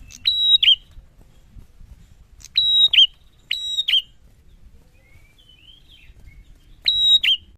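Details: Male prinia in full song: four loud phrases, each a dry click followed by a steady high piercing whistle and a buzzy warbled end, spaced one to three seconds apart, with soft twittering in one gap.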